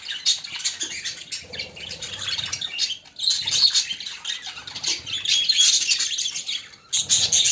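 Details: Budgerigars in captivity, one white bird searching for a mate: bursts of high chirping and squeaky warbles in overlapping runs, separated by short pauses, with soft rustling beneath.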